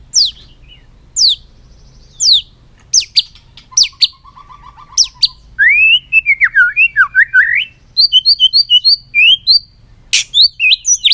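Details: Caged White-rumped shama on its perch, tail flicking, giving a long-string, many-voiced song meant to fire up the birds: sharp high downward whips every second, then a fast warbling run and trills of rising, chirpy notes.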